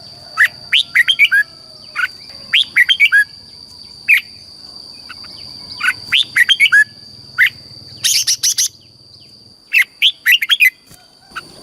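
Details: Red-whiskered bulbul, a Thai cage bird, singing a southern master song meant to excite birds or teach chicks: many bursts of rapid sweet whistled notes in tight groups, one harsher buzzy burst midway, steady high-pitched hum behind.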